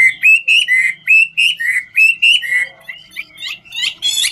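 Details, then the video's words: Chinese hwamei in the ngũ trường song style, dancing while it sings; evenly spaced loud whistled notes, swooping up and down, give way to softer twitters and sharp rising calls. "Họa mi ngũ trường hót múa cực chất"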